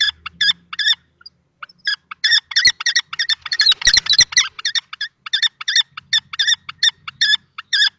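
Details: Harsh, rapid kestrel calls from a confrontation between a young and an older male common kestrel over a nest box in Théding, France, March 2024; dense bursts mid-clip with thumping knocks.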